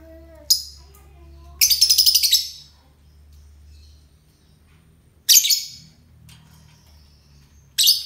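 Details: Euwing lovebird: a single sharp chip, then a short buzzy rattling burst, then two more harsh shrieks spaced several seconds apart, with quiet gaps between.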